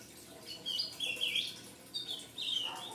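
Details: Fledgling ultramarine grosbeak giving short high chirps, mostly upslurred and downslurred notes in two loose bursts, with quiet background.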